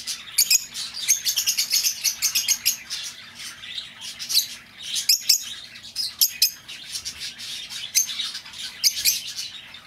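Lovebirds chattering with dense, shrill, high-pitched chirps and squeaks in rapid bursts, almost continuous through the clip, with several birds calling at once.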